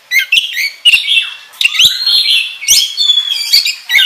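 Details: Oriental magpie-robin (kacer) lure song, ngobra style, used to stimulate other birds to sing: bright whistled phrases with rising and falling slurs, interrupted by harsh clicks and short chattering bursts, delivered energetically and continuously.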